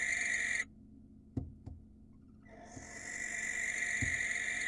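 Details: Harsh, breathy screeches from a wild barn owl in Israel calling for a female, two hoarse bursts separated by a quiet gap with a few sharp knocks.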